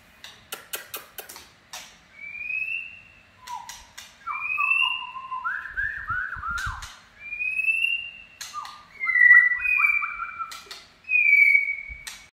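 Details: White-rumped shama singing in the "chạy cầu" (shama run) style: sharp clicks at the start, then clear whistled phrases, some rising and some falling, mixed with rapid stepped runs of short notes. A few low thumps are heard midway.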